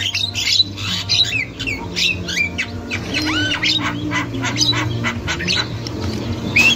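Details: Wild, highly vocal Javan myna, a female's chattering meant to stimulate young mynas: dense, noisy squawks and rasping notes with a few clear downward-curving whistles, over a low hum.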